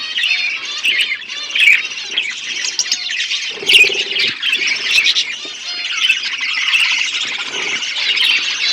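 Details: Budgerigars feeding chicks during breeding: steady scratchy, warbled high chatter lasting throughout, with a short lower rasping burst midway.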